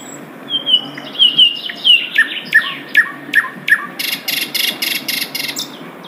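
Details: Asian brown flycatcher singing in the wild: high slurred whistles, then five evenly spaced sharp chirps, ending in a run of rapid buzzy bursts that make up the melodious song.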